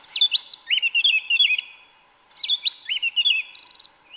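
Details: A yellow-legged thrush in Brazilian forest repeats the same song phrase twice, a high whistled upsweep followed by a wavering lower warble and a rapid buzzy rattle ending the second phrase.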